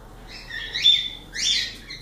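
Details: Two drawn-out, bright screeching whistles from a pet cockatiel, each rising then falling, close together within two seconds in a quiet room.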